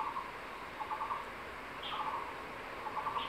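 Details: Male crested goshawk at the nest in secondary forest calling his mate to eat a fresh tree lizard he caught. Brief rattled bursts repeat about once a second, and a thin upslurred whistle from another bird cuts in.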